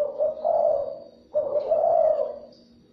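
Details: Spotted dove cooing to stimulate and lure other doves: two hoarse, rolling coo phrases, the second longer and stronger, fading out at the end.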